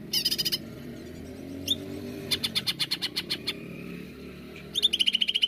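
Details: Greater green leafbird lure song in the 'nembak' style: short high twittering bursts and a spaced series of sharp chip notes, ending in a rapid trill, with a passing vehicle or motorcycle rumbling low beneath.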